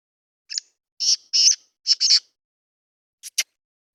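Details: Kala teetar, the black francolin, gives its loud, harsh phrase: a brief opening note, two drawn-out buzzy rasps, a rapid double grating note, then near-silence before two clipped, sharp closing notes. The background is clean.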